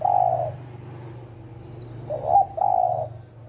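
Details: Low hollow coo from a spotted dove of the 'thổ ồm' type, used to provoke 'thổ đồng' doves, followed after a pause by a clipped note and a longer steady coo.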